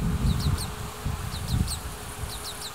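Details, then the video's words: Oriental greenfinch fledglings in Hiratsuka, Kanagawa, Japan, chasing their parents during the breeding season and begging for food. Short, high, sharply falling chirps come in pairs and small clusters over steady low wind rumble from a built-in microphone. "カワラヒワ 巣立ち雛が餌をおねだり"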